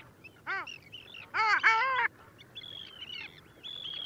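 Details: Long-tailed ducks in winter at Liepāja, Latvia, January 2024: one arched nasal yodel note, then a loud doubled yodelling call with rich harmonics, followed by fainter higher whistled calls from other birds.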